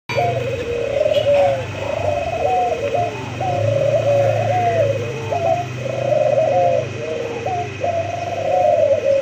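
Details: White dove cooing steadily: a run of low, rolling, slightly wavering coos, each sliding downward, repeated with short gaps over several seconds, with a faint low hum underneath.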